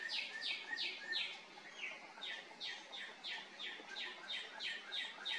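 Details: Male northern cardinal song, given day and evening from a tree close to a house to hold territory or attract a mate; rich, slurred whistles falling in pitch, delivered in an even string of roughly three per second.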